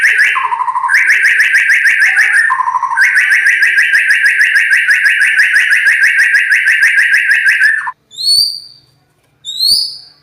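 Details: White-rumped shama with a loud, rough voice delivering long bursts of rapid, evenly repeated buzzy notes, broken by short lower whistles, then two separate high sharp upslurred calls.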